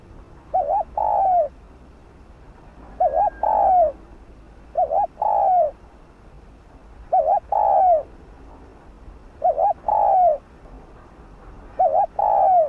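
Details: Spotted dove cooing to prompt other doves into calling: phrases of a quick wavering double note and a longer slurred coo, repeated regularly about every two seconds against a quiet background.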